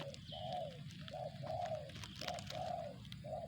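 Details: Tekukur, a spotted dove, cooing in a quick rhythmic run of short and drawn-out arched notes, about seven in three and a half seconds, over a steady low background rumble and faint higher chirps.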